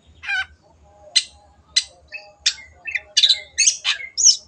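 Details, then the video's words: In 'gacor' form, a long-tailed shrike opens with a buzzy rasp, then sharp high chips speed up into a jumbled run of squeaky, varied notes. "MASTERAN BURUNG CENDET GACOR"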